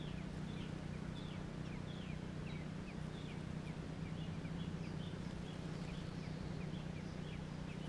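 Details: Nestling American robins in Georgia making soft, repeated high downslurred squeaks in a quick, somewhat irregular series against a steady low hum.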